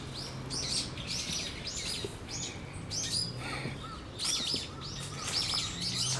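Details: Brown-eared bulbul warning of a raptor in November 2013, with a goshawk later seen driven off by crows; bursts of piercing, downward-sweeping notes in clustered series, low background rumble.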